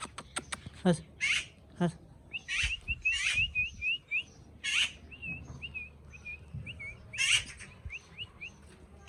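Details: Pet talking parrot alternating rasping screeches with a run of short, bright whistled chirps, some notes wavering up and down, over a faint low hum.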